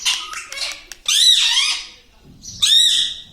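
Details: Talking parrot: two loud, harsh, high squawks. The first is long, with short rough bursts before it. The second comes after a quiet gap, with soft low rustling in between.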